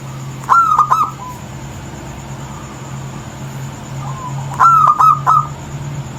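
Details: A male local wild zebra dove with a small, clear, female-like voice but no giggling notes gives two short phrases of quick, clipped cooing notes about four seconds apart, over a steady low hum.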